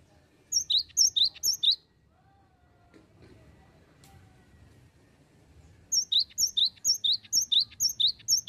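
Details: Cinereous tit (gelatik batu) in the leaky "bocor oworr" song style, used as a lure to draw other birds: two bursts of high, sharp two-part whistled notes, about five per burst, separated by a quiet gap with faint room noise.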